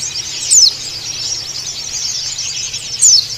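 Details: White-eye calling a rival in the wild-sounding ngalas style: two sharp, high descending whistles about two and a half seconds apart over a constant dense, high-pitched twittering chatter.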